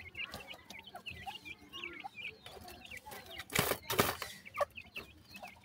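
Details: Chicks of grey francolin, known locally as teetar in Pakistan, giving a steady run of thin curved high peeps, many per second, broken by a loud broad rustling burst midway.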